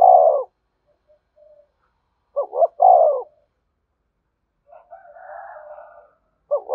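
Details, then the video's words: Spotted dove cooing to lure wild doves, which respond by calling and quickly come to the perch: a low double stutter then a long, falling coo, repeated about every three seconds, with a fainter rasping sound between phrases. "Tiếng chim cu gáy thúc bổi, bổi nghe rất nhạy gáy và về cội nhanh"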